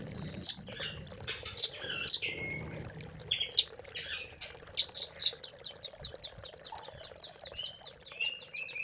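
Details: Velvet-fronted nuthatch master song for training caged birds: scattered high sharp notes, then from five seconds a rapid regular trill of high piercing notes about four per second, with a few lower whistled slurs.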